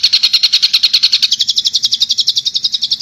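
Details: Cendet, the long-tailed shrike, from Madura in a master song for training captive birds: a steady rapid series of harsh chirps that climbs slightly in pitch partway through.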